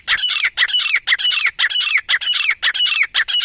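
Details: Grey francolin calling in jungle, a loud, shrill series of harsh squawking notes repeated about twice a second in steady rhythm, with short gaps between bursts.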